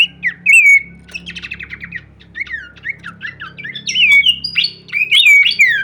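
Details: Horsfield's babbler in full varied song with wing shaking: a burst of clear whistles, then stuttering chattery trills and looping slurred notes. A low hum runs underneath.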